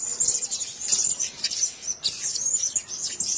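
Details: Caged blue-crowned hanging parrots keep up dense, rapid, shrill squeaking and high chirps in overlapping bursts, almost without a break.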